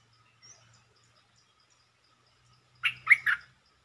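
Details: Red-whiskered bulbul, one short song phrase of three bubbly, warbled notes heard a little distantly, over a faint low hum and a soft insect ticking.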